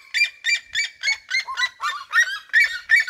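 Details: Red-legged seriemas singing in a flock across regional fields: loud, harsh yelping barks repeated about three per second, clean background.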